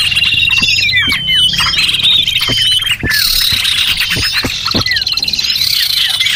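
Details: Small birds in a lure recording used to attract small birds: a dense overlapping chorus of high chirps, short downslurred whistles and a sustained thin trill, with scattered sharp clicks throughout.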